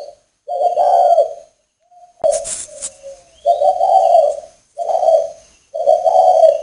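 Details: A male spotted dove at a breeding farm in northern Vietnam coos: low, throaty, hollow phrases repeated about once a second, interrupted once by a brief sharp noise.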